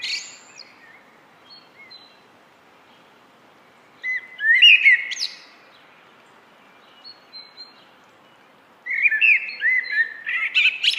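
A common blackbird sings two mellow, fluted warbling phrases about four seconds apart, each ending in a thin, high squeaky twitter; otherwise quiet.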